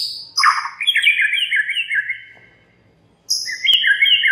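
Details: White-rumped shama song used as a lure to set other shamas singing: a short harsh chattering note, then a long run of clear whistled warbling phrases, a pause, and a fresh bright whistled phrase.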